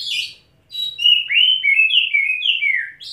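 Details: Caged white-rumped shama after a wet bath sings a brief high burst, pauses, then pours out a long fluid chain of warbled whistles, about three notes a second, each sliding up and down.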